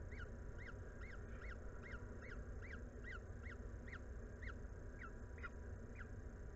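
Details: Peregrine falcon at a nest at Anwil in Włocławek, Poland, on 17 May 2022 at 14:56, while a meal is delivered. About fourteen short, arched, squealing notes repeat roughly every half second over a steady low rumble.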